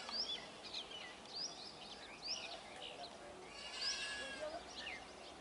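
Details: Black-headed starling flock chattering, with quick upslurred squeaks and buzzy, scratchy notes overlapping in a busy, continuous jumble.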